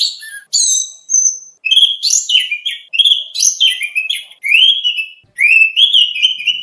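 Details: Oriental magpie-robin (kacer) training song for contest birds, rich in varied material: clear whistled phrases, rising and falling slurs and sharp high notes in quick bursts separated by short pauses.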